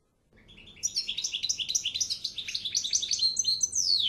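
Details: European goldfinch song: a fast, tumbling run of bright twittering and tinkling notes, many short chirps per second, rising in loudness and ending in a high descending slur, with faint low background hum.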